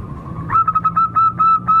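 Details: Lure sound of a wild local zebra dove: a soft steady tone, then a quick, regular series of sharp, clear notes.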